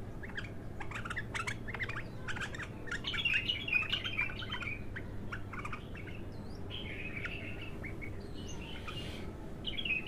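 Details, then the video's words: Raw bulbul song, its first outpouring: rapid clicks and chirps building into a warbled twittering phrase, followed by softer slurred notes, against low hum. "تغريد الابتر خام اول فتحـه له"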